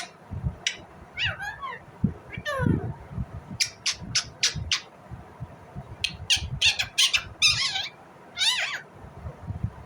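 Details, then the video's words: Indian ringneck parrot giving scattered chatter. Sharp ticking clicks, falling squeaky notes and rapid bursts of harsh squawks are heard over constant low bumping sounds. "Indian Ringneck parrot Natural sound, parrot chirping sound"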